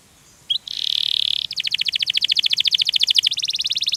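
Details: Canary in ngerol gacor song, heard against a faint background hiss: a short chip, then a sustained buzzing tone, followed by a long, fast, evenly pulsed trill.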